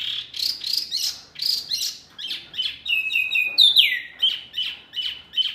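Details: Masteran bird-training song for caged birds such as murai, kacer, cucak ijo and jalak: high buzzy chirps repeated about twice a second, then a fast metallic trill and a sliding, falling whistle, followed by more chirps.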